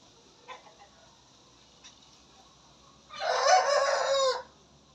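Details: A young Shamo/Aseel-type cockerel, newly starting to crow, gives one rough, hoarse, breaking crow of about a second and a half after faint clucks and taps, amid young roosters squaring off in a run.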